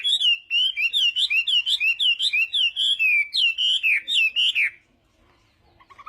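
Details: Chinese hwamei singing in the morning as voice practice, contest-style song: a rapid run of loud, rich whistled phrases rising and falling, about two notes per second, ending abruptly into near silence with faint twitters after.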